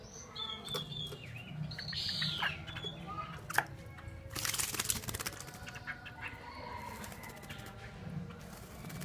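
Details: Caged Chinese hwamei in Hanoi, Vietnam, giving scattered clear whistled notes and a bright descending whistle near two seconds, followed by a loud burst of broadband rustling or fluttering, over steady low hum and scattered clicks.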